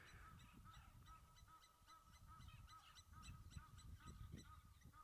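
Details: Two Egyptian geese at a waterhole, disturbed by a young spotted hyena drinking there, give rapid, harsh honking alarm calls, repeated several times a second.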